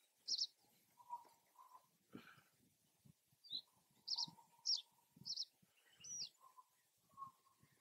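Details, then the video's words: Male Common reed bunting (subspecies schoeniclus, Germany), a species of open wetlands, sings short, high, chirpy notes in loose clusters every second or so, over a low humming tone, scattered soft thuds and a brief rustle. "Reed Bunting ♂singing"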